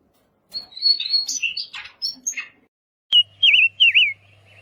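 Daurian redstart song: a quick jumble of high, scratchy chirps and whistles, followed after a pause by three clear, wavering whistled notes, with a faint low hum behind.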